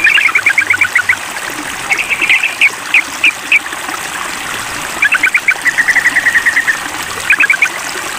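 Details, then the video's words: Sooty-headed bulbul calling a rival during a mental test produces quick chattering trills, spaced bright upslurred chips, then further rattling series, all above a constant trickling-water backdrop. "Tes Mental Trucukan Memanggil Lawan"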